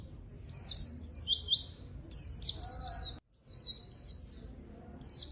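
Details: Lively white-eye song meant to lure and tutor reluctant singers: quick, high, slurred twitters running into a buzzy falling trill, then fresh bursts after a brief break.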